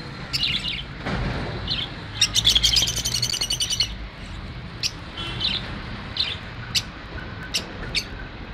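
Lovebirds give sharp, high chirps and shrill squeaks in irregular bursts, with a dense chattering flurry midway and a low rumble of background noise.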